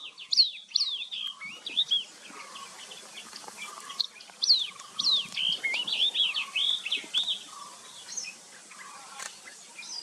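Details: Yellow-eyed babbler from India giving bright, strident descending whistled notes in quick bursts, then quieter chittering phrases with short pauses, over a soft low background hum.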